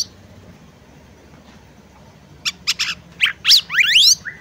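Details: {'caption': 'Female oriental magpie-robin calling to prompt a male to sing. Over two seconds of quiet, then a burst of sharp bright chirps followed by quick rising and falling whistled sweeps, loud and close.'}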